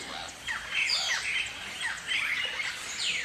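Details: Galah flock calling: overlapping raspy, screechy down-slurred squawks in bursts, tumbling over one another with little pause, several birds heard at once.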